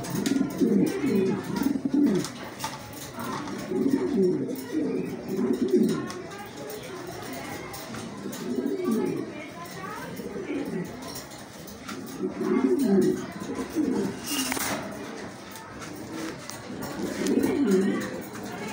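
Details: A yellow Show King domestic pigeon coos in low, throaty rolling phrases, repeated every few seconds.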